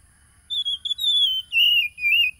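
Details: Oriental magpie-robin in East Lampung, Indonesia, recorded by phone on 30 July 2022 as a lure for caged birds: a long, sweet whistled phrase sliding gradually downward, broken into several sustained notes.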